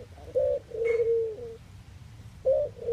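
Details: Collared dove cooing in the Netherlands, a short low note followed by a long steady hoot, then the phrase starting again; one faint higher chirp over the middle.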